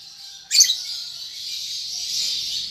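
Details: Young lovebird learning to chatter in the ngetik ngekek style: a single loud shrill chirp early on, followed by an unbroken, high, rasping stream of chattering that swells slightly toward the end.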